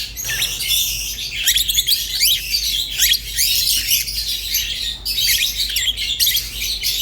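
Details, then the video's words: Rosy-faced and Fischer's lovebirds call in quick repeated rising squeaks and twittering phrases, many short notes overlapping in a lively, high-pitched chorus. "تغريد ولا أروع | روز و فيشر غندور بصوت ساحر وممتع"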